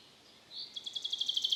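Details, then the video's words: Common chaffinch, known in Estonian folk speech as the forest guard, singing its spring song, sung from early April to early July: a faint start, then a bright, high trill of quickly repeated, evenly spaced notes growing louder. "Metsvint, rahvakeeli metsavaht. Linnulaul."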